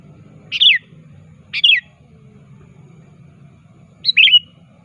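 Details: Sooty-headed bulbul, known as kutilang, calling a rival for use as a lure: three separate bright chirps, each a sharp downslurred flick, the last longer with a trailing whistle, low hum beneath.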